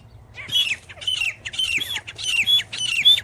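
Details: Grey francolin (teetar) calling at close range: four or five loud, harsh, slightly downslurred squawking notes, each about half a second apart, against a quiet background with a faint low hum.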